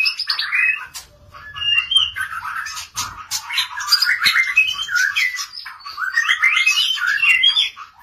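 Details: White-rumped shama kept for breeding delivering a dense, continuous song of mixed whistled phrases, quick trills and scratchy notes, with occasional low thumps in the background.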